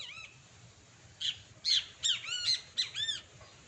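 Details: A wild great kiskadee pair bursts into loud, raspy arched squawks after a short quiet start, about half a dozen notes in quick succession, with a low hum in the background.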